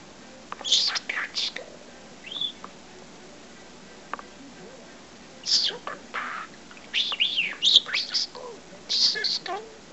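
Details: Young pet parrot with a vocabulary of 20 to 25 words mimics speech in short raspy, high-pitched syllable clusters separated by quiet pauses, indoors.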